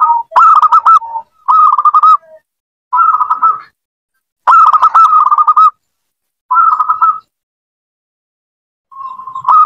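Zebra dove giving six bursts of soft, rapid, rolling coos at a steady mid pitch, each about a second long with brief pauses between.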